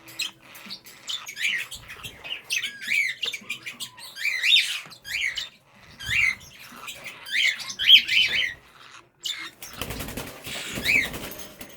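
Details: Young English budgerigars, a pair that like each other, sexes uncertain (blue one thought to be a boy), chatter with quick, scratchy chirps and warbling squeaks in a small room.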